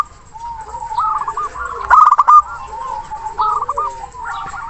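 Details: Zebra dove calling a rival with a loud, long-breathed voice, sung to coax quiet birds into singing: soft rippling coos, then a louder staccato burst in the middle, and more bubbling coo phrases afterward.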